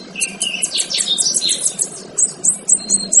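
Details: Male kinoy singing, recorded as a training song for other birds: a dense, busy run of high chirps and short whistles, with rapid downward-sweeping notes and a few steady whistled tones near the end.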